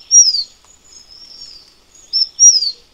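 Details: ["Endemic Taiwan fulvetta from Taiwan's high-altitude mountains singing two high, thin phrases, each a brief note followed by a clear whistle slurring downward, with soft faint notes in between."]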